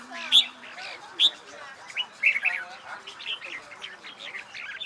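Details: Red-whiskered bulbul kept for singing-competition training, delivering short sharp whistled notes about once a second, followed by a looser run of chirpy warbling phrases.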